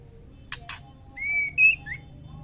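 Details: Female white-rumped shama, in breeding condition, calling for a male: two sharp clicks, then two bright, high whistles, the second slightly higher and stronger, followed by a softer short note, over a quiet hum.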